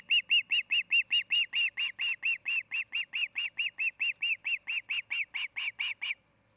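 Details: Osprey calling from its nest in Charlo, Montana: loud, clear whistled chirps repeated over two per second for six seconds, each note sharp and slightly downslurred, ending abruptly into silence.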